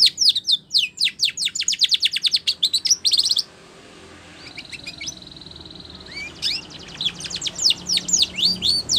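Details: Spanish Timbrado canary training song: rapid trill of high falling notes, a soft steady rolling tone in the middle, then rising whistles and a renewed quick trill.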